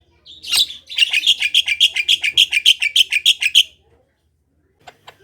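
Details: Javan myna in energetic song, used as a lure to prompt other Javan mynas to sing: one short opening note, then a fast, even run of about thirteen bright, ringing notes over three seconds, followed by silence and a few faint ticks.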